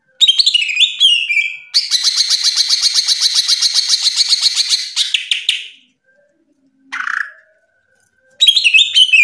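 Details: Cucak ijo singing in a loud, nonstop ngeplong gacor style: descending whistled notes, then a long fast buzzy trill of repeated notes lasting about four seconds, a short lower phrase, and a return of bright, rapidly varied whistling.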